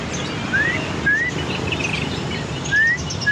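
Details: Australian finch singing actively: clear, thin, rising whistled notes, three spaced across a few seconds, over steady background noise.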